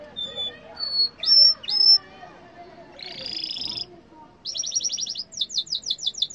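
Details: Yellow canary song mixing short whistles and two loud upslurred notes, a buzzy rolling passage, then a fast even trill and a run of quick falling sweeps.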